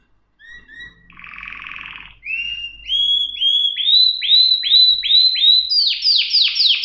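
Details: Singing canary opens with two soft whistles and a buzzy rattle, then a series of rising swooping notes that speed up and climb higher into a rapid bright trill.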